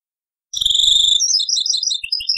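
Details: From an old cassette, a European goldfinch gives taqsrain-style song: a drawn-out high tinkling note running into quick chattering twitters, with faint low thumps in the background.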